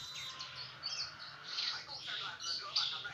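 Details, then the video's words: Brenjangan singing for songbird training: a continuous high twittering stream of chirps and thin whistled notes, fairly steady in loudness, with faint low background hum. "masteran burung brenjangan"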